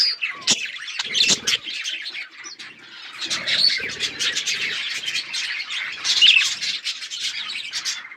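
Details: Flock of colourful budgerigars chattering, overlapping chirps and squawks with some low rustling or fluttering sounds mixed in, busy and continuous throughout.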